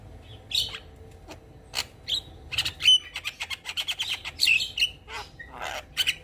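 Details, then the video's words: Javan myna singing a lively, busy song full of filler notes while nodding its head: rapid bursts of harsh chatter, clicks and short whistles, with a few brief pure whistled notes between dense scratchy phrases. "Kicauan Jalak Kebo gacor Full Isian Manggut2"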